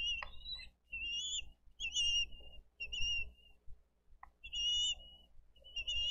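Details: Bald eagles at a wildlife rescue nest cam in Dade County on 22 April 2023, the parents bringing fish to feed the eaglets. Thin, high whistled notes in bursts of about a second, repeated with short pauses, over low rumbling background noise.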